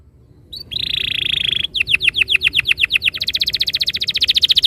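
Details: Canary master song to get a canary rolling: a short high note, a steady buzzy trill, then repeated descending whistled notes that quicken into a dense rapid roll.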